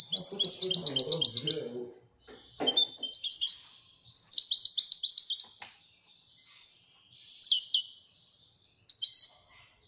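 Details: Moroccan goldfinch from Marrakech performing Widaniya-style song: bursts of rapid, bright, high trills and twitters, separated by short pauses, with a low murmur under the first burst and a single click.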